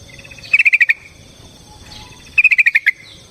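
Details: Yellow-vented bulbul (trucukan) singing a lively fighting song used as a lure: two short bursts of five or six bright, bubbling notes, each about half a second, separated by a quiet gap.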